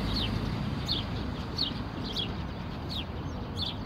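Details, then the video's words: Plump house sparrows chirping in roadside bushes by a street bench on 12 April 2019 in spring; short high chirps repeat roughly every second over a steady low rumble of city traffic. "пение воробьев"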